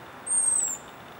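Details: An American robin perched near where it had first called from the ground gives its 'aerial predator' hawk-alarm call: a single thin, very high 'seeet' about half a second long, sliding slightly downward. It watches the sky, presumably reacting to a calling Common Raven flying overhead. Faint hiss. Guerneville, Sonoma County, California, April 22, 2020.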